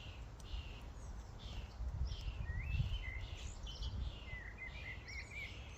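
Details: A feeding-station flock of common starlings. Rising whistles and squeaky slurred notes over constant chattering from many birds, with low rumbling in the background.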